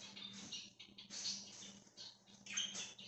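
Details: Budgerigars roaming free as a flock give a brief stretch of busy high chirping and scratchy warbles in uneven bursts, with a faint constant hum underneath.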